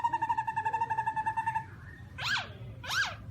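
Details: Black-throated laughingthrush: a fast even trill of clear notes for about one and a half seconds, followed by two loud harsh arched calls about a second apart.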